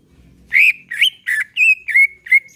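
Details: Greater green leafbird in relaxed song, used to prompt singing: six bright whistled notes, a rich rising slur followed by shorter level whistles, evenly spaced over a couple of seconds.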